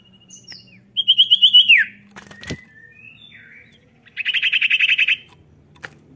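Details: Common iora (cipow) in full song, meant to prompt lazy birds to sing: a short high whistle, a wavering trill that slides downward, soft scattered notes, then a fast even buzzy trill lasting about a second.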